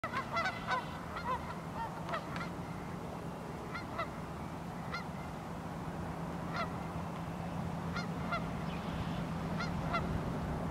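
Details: Geese calling on a very cold morning on the Pend Oreille River in North Idaho: scattered nasal honks, some overlapping, rising and falling over a steady low rumble of background noise.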